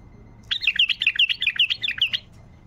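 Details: Wild bulbul giving a tayyariyat-style song phrase, played to get silent bulbuls singing: a quick run of about a dozen bright, chirping notes rising and falling, packed closely together for under two seconds over a quiet background.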